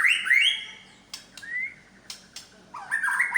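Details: White-rumped shama of the Medan type singing its imitated repertoire: rich whistled phrases near the start, a gliding whistle midway, sharp clicks, then a loud warbled burst at the end.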